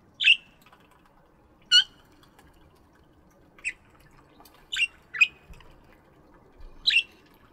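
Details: Budgies chirping in a morning aviary: six brief, rasping chirps scattered irregularly, roughly every second or so, over a quiet background.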